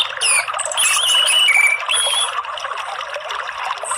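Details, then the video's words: Orange-headed thrush singing in the morning, a recording used to prompt other birds to sing: varied clear whistled phrases, some sliding down, some held high and thin, run together in a rich continuous warble. "PANCINGAN ANIS MERAH PAGI HARI ¦ KICAUAN TERAPI"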